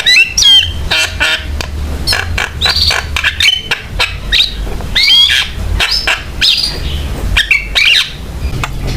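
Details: Javan myna in full song, played as a lure and tutor to get other mynas singing; a busy mix of sharp clicks, harsh rasping bursts and bright rising and falling whistles, over a steady low hum.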